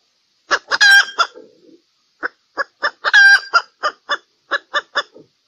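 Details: Hen calling during mating season, giving two loud drawn-out squawking calls, each followed by a run of short, evenly spaced clucks, in a quiet setting.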